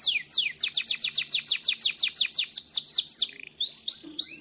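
A Timbrado canary sings a rapid trill of about fifteen steeply falling notes, roughly four per second, then shifts into brief rising whistled phrases.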